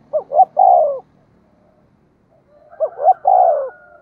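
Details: Decoy spotted dove calling quickly to provoke wild doves into cooing back: two identical phrases of two short hoots and a drawn-out low note, separated by about two seconds of quiet.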